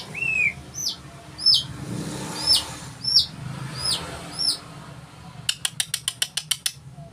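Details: White-rumped shama singing: sharp whistled notes that sweep downward, about one per second with some paired, followed near the end by a rapid burst of dry ticking clicks.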